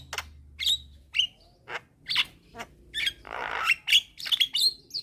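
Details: Javan mynas calling at midday, a young bird summoning others that answer: spaced squeaky whistles and harsh buzzy notes, including one longer grating rasp, over a faint low hum.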